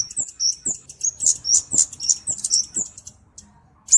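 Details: High, thin flowerpecker (kemade) chips, used as master tutor and lure, delivered in an uneven rapid sequence of short whistled notes, fading into near silence before one final sharp tick.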